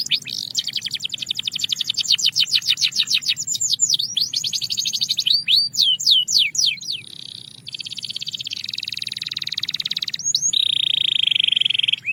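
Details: Belgian canary singing a calm, clear training song: rapid repeated downward-swept whistled notes, then sliding rising notes, a sustained buzzy trill and a steady high trill near the end; faint low background hum.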